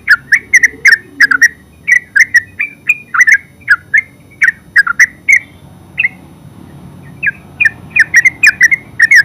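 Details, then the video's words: Terucuk (yellow-vented bulbul) in full ngeropel song, rapid strings of sharp, liquid chirps tumbling one after another, a brief lull, then the bubbly phrases resume. "Terucuk full suara ngeropel"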